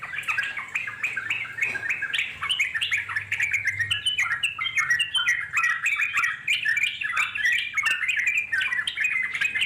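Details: Yellow-vented Bulbul from the wild, long ngeropel singing meant to lure wild bulbuls into answering; busy bubbling warbles and chirps run continuously, with a faint low hum underneath.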